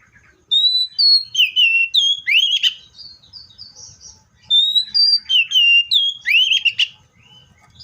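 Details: ['Seychelles magpie-robin song: clear whistled phrases, flat high notes followed by lower slurred and upswept notes, sung in two bouts separated by a short pause, with the same phrase sequence repeated.']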